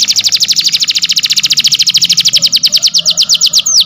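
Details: Canary singing a training song: rapid repeated falling chirps, about ten per second, slowing slightly near the end and closing with a brief whistled note.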